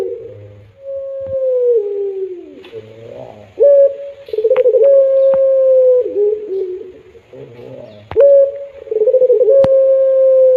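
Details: Puter pelung dove: a long falling coo, then steady drawn tones with tremulous pulses, repeated at intervals, with occasional sharp clicks.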